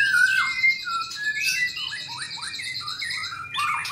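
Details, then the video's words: White-rumped shama, albino and blorok color forms, giving clear whistled phrases: a long level note, then a series of short downward-slurred and rising notes, with a faint steady high tone underneath. "Burung Murai Termahal_Murai Batu Albino & Murai Batu Blorok EXTRIME"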